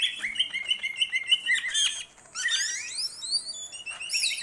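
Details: Greater green leafbird in vigorous song meant for training songbirds: a rapid run of repeated whistled notes, a brief pause, then varied high rising and falling slurred phrases.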